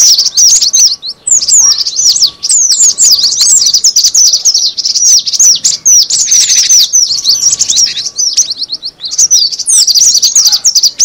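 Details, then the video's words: Cinereous tit calls used as a lure: an unbroken stream of sharp, high, twittering chirps and quick slurred notes, densely layered throughout, with a faint background hum. "suara pikat burung gelatik batu"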